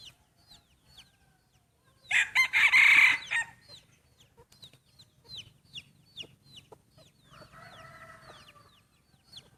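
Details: Breeding roosters crowing against each other in a contest, their first such match: one loud, harsh, rasping crow lasting over a second, then a fainter distant rooster answering, with small birds chirping repeatedly throughout.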